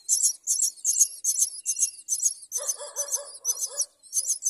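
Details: A mother common myna finds food for her baby, and the chick answers with insistent harsh, rasping begging, about two bursts a second in a steady run, joined midway by lower, throaty grating notes.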